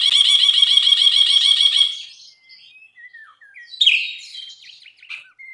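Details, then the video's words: A bulbul's buzzy rapid trill runs for two seconds, then gives way to soft slurred whistles and a sharp burst of scratchy chatter before quieter notes. "MASTERAN BRINJI GACOR"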